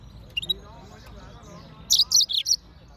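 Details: Yellow-fronted canary, Serinus mozambicus, chirping: a few faint high notes, then a quick burst of four bright, clear chirps near the end over a soft background murmur.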